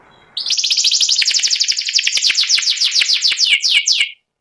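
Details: White panda canary in ngeriwik style: one continuous, loud, fast chattering trill of rapidly repeated notes lasting nearly four seconds, ending abruptly.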